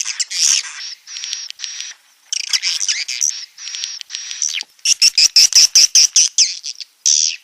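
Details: Rainy-season calling sound for swiftlets in a swiftlet building in Nunukan, North Kalimantan, 19 July 2020, 5 pm, phone recording: bursts of high chattering twitters, then a fast run of about a dozen sharp clicking chirps, ending in a buzzy note.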